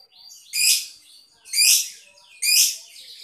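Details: Lovebird kept in the Boyolali area of Indonesia; three sharp, shrill, buzzy squawks evenly spaced about one second apart, with softer high chirps in between.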